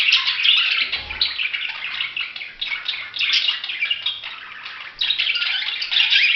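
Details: Budgerigars in a dense chorus of overlapping chirps and warbles, a continuous high-pitched wash of sound with small swells in loudness and no clear gaps.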